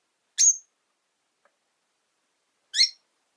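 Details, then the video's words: Two harsh, high-pitched chirps from pet rosy-faced lovebirds in a cage by a window, spaced over two seconds apart with silence between. "Lovebird Chirping Sounds"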